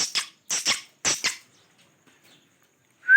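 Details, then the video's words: Pet parrot giving three pairs of short, harsh, raspy bursts over the first second and a half, then quiet, ending on a brief clear whistle that rises sharply. "My Favorite parrots Talking amazing sounds different voices of parrots"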